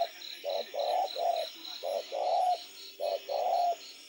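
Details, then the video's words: Night-time calling of a spotted dove: mellow low coos in a short-short-long pattern, phrases repeated about every one and a half seconds, over a steady high-pitched pulsing background sound. "เสียงนกเขาใหญ่ ขันกลางคืน"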